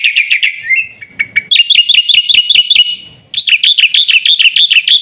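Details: Black-winged myna song: scratchy slurred whistles giving way to long bursts of rapid, piercing, metallic chirps, roughly three per second, with a brief pause between bursts.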